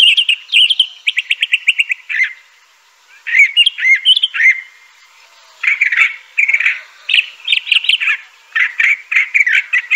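Crissal Thrasher singing a long, varied string of rich, warbled phrases, some notes quickly repeated, broken by brief pauses, with no other sounds.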